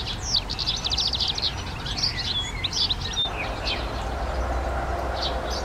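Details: Garden recording of a European goldfinch in song: lively, jumbled high twitters, trills and short whistled slurs tumbling on for several seconds, with a faint low rumble underneath.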